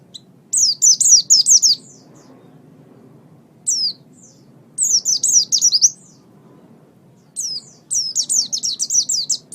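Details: Oriental white-eye song, played to train other songbirds: three separate bursts of quick, high, downslurred chirps, each run lasting about a second, with short silent gaps between them.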